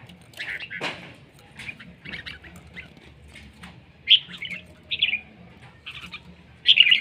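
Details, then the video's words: Lao red-whiskered bulbul, described as fine-looking and fierce, repeats brief rich warbled bursts about once a second in the later part, after scattered clicks and a knock. A low hum runs throughout. "Noog diab kaum lauj zoo nkauj khav heev"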